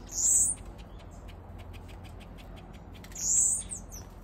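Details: Blue-capped cordon-bleu waxbills housed alone in an aviary, a cock added to spur territorial breeding behaviour, utter two thin, very high notes about three seconds apart, with faint clicks and rustles between.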